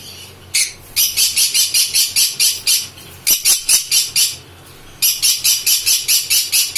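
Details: A pair of green-cheeked conures of the pineapple colour variety give harsh, rasping screeches indoors, in quick bursts of about two a second, in three runs with brief pauses between.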